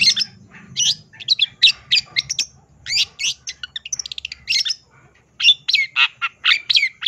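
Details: A formerly mute long-tailed shrike turned lively, replying and pouring out its full borrowed song: harsh squawks mixed with bright chirps, a rapid stuttering trill midway, a brief pause, then loud clipped notes.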